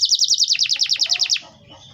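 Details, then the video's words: Canary song played to prompt other canaries to sing: a rapid series of about fourteen sharp downward-sweeping high notes, evenly spaced, then fading into a quiet low murmur. "pancingan kenari ampuh wit wit werrr ngerol"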